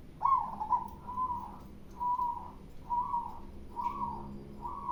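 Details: Local zebra dove cooing loudly: a series of mellow, soft coos of even pitch, about one each second, with a faint low background hum.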